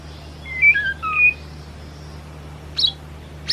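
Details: White-rumped shama ngelemak song used as a lure: several short, clear whistled notes at varied pitches, then a brief sharp chirp after a quiet gap, with low hum behind.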